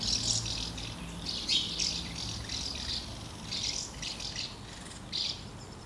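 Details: Lots of common house martins at two nests, feeding and fledging young, recorded 24 August 2012; rapid, high, rattly twitters in clumps of several notes, loudest early and again near the end, with low hum behind.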